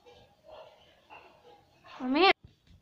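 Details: Pet ring-necked parakeet indoors, trained to say "mummy"; soft mumbled speech-like sounds, then one loud rising-and-falling screech that cuts off abruptly.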